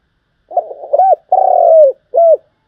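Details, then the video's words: Spotted dove cooing and calling, played as a lure for trapping; a burbling opening, an arched note, a drawn-out buzzy coo sliding downward, and a clipped closing coo. "Tiếng chim cu gáy thúc gù và gáy gọi hay nhất"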